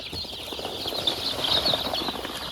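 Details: Chorus of poultry-farm chicks crowded into a box against the cold: steady high-pitched cheeping from many birds at once, a few sharper peeps rising above the blended wash.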